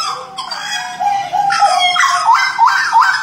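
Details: Butcherbird from Jayapura singing energetically: a sustained mellow whistle, then three bright, rising-and-falling slurred notes repeated at a fast, even pace.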